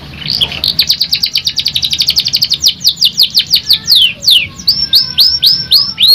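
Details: A canary song used as a lure to make other canaries sing: a fast, rolling series of bright chirps that speed into a trill, then slow into sharp downward-sweeping high-pitched notes.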